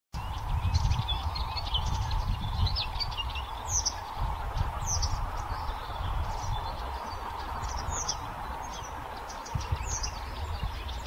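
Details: Blyth's reed warbler singing at Haga kile on 26 May 2024: a run of high, varied chirps and short whistled phrases, repeated without pause, over a steady low rumble and a continuous mid-pitched hum.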